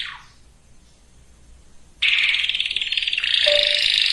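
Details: Canary song meant to prepare females and males for breeding. A faint falling sweep, quiet pause, then a sudden loud harsh buzzing roll held for two seconds with a brief lower whistle inside.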